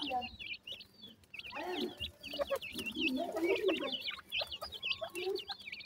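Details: Captive francolin chicks feeding and playing together: a steady stream of short, high, upslurred peeps overlapping from several birds, with soft lower chatter and pecking clicks underneath.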